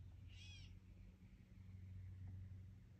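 A Gray Catbird gives one short, nasal, cat-like mewing call with a slight downward slur, over a steady low hum.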